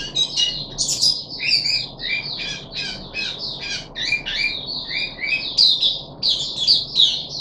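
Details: Varied, lively chattering from a caged puff-backed bulbul, third day after deworming, July 2021: clusters of high sharp notes and short whistled slurs in uneven bursts, indoors with a soft background hum.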